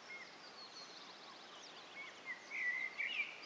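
A thrush nightingale sings loud, clear whistled phrases and quick chirps over a busy background chorus of other small birds.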